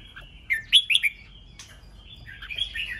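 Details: Red-whiskered bulbul chattering in the 'ché nẹt' style, used to excite rival birds into singing contests. A burst of four sharp, rising whistled notes comes mid-phrase, followed by softer slurred warbling near the end.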